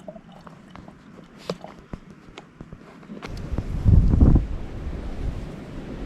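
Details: Scattered footsteps and clicks outdoors, then a burst of loud wind rumble across the microphone, with no animal sounds.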